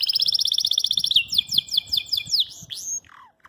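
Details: A Belgian canary sings a fast, high trill of rapid repeated notes that breaks into slower, sweeping, descending whistles while reacting to a phone; the owner is unsure whether it is challenging a rival or courting a female.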